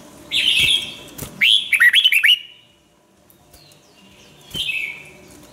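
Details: Red-whiskered bulbul used for song training gives a bright warbled phrase, then a quick descending series of chirps, a long quiet gap, and another short whistled note.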